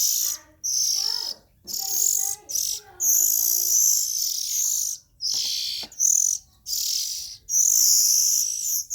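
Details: Calls of young Oriental magpie-robins: rasping, breathy hisses in long bursts, with a few softer warbled notes from another bird early on.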